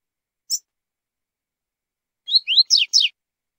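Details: Double-collared seedeater with the tui-tui zel-zel song style: a lone thin high note, then after a gap four rapid slurred notes, first rising, then louder downward sweeps, otherwise quiet.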